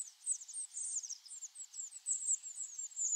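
A Blue Tit flock on autumn migration gives a continuous chatter of very high, thin, overlapping squeaky notes, several each second, with no other sounds.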